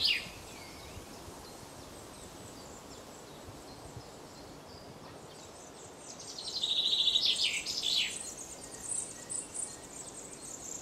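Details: A pair of Eurasian nuthatches feeding their young at Mere Sands Wood, Lancashire, 1 June 2013 around 15:04: a quick burst of high, sharp chirps midway, over a steady background hiss and faint high insect-like buzzing.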